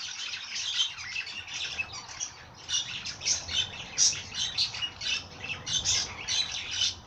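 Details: Singing birds fill the air with rapid, high twittering and bright chirps, many voices overlapping in a steady chattering chorus that pulses every half second or so.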